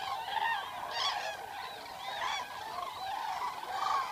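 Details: Common cranes recorded in the wild at night: several birds give resonant, trumpet-like honks, overlapping and continuous, with occasional higher curved notes rising above the main chorus.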